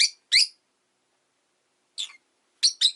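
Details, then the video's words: Rosy-faced lovebird on a calm afternoon: a quick pair of harsh, high chirps, a pause, a softer stuttering call, then two more sharp chirps close together. "Lovebird Chirping Sounds"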